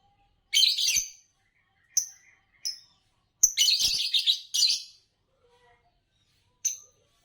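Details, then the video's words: A rapid, irregular run of scratchy chirps from a green Fischer's lovebird that wins bird song competitions in Indonesia, with short clipped notes mixed among longer buzzy bursts. "Spectacular Chirps from World Champions - Lovebirds Chirping Sounds"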